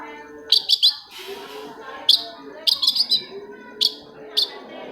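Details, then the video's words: Long-tailed shrike song meant to stimulate other shrikes: clusters of bright harsh chirps in quick bursts separated by roughly a second, over a constant murmuring background. "TOETAN BURUNG CENDET INI COCOK BANGET UNTUK MENAIKKAN EMOS1 CENDET YANG MACET AGAR MAU BUNYI"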